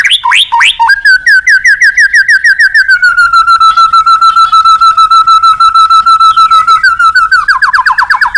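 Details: White-rumped shama song played to stimulate other birds to sing: a few sharp rising notes, then a long sustained pure whistle held steady with rapid pulsing, ending in a fast rising trill; loud and clean.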